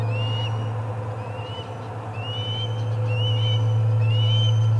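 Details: Osprey at the Charlo nest, first delivery of the day on 25 August 2020, gives five high upslurred whistled chirps at a steady pace, a little under one second apart, over a continuous low droning hum.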